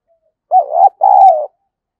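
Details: Single full phrase of spotted dove decoy cooing meant to provoke wild birds to fight: a dipping, rising note flowing into a pause, then a long, steady, gently falling coo lasting half a second.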